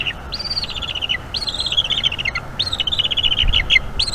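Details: Bald eagle chick at a nest in North East Florida begging during feeding by its mother, evening, May 2021; high, sharp chattering phrases that step downward, repeated roughly once a second, light background hum.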